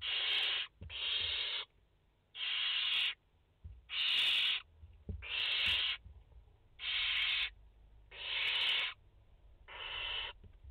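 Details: Barn owl chicks, five in the nest, recorded on 29 August 2021: a run of eight harsh, noisy hissing screeches, each under a second long, coming roughly every one to one and a half seconds over a faint low hum.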